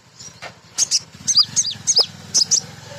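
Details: Lure song of a female sunbird used to draw untrained birds into singing. A burst of sharp, thin, high chirps and short slurred notes repeats roughly twice a second against a low droning hum.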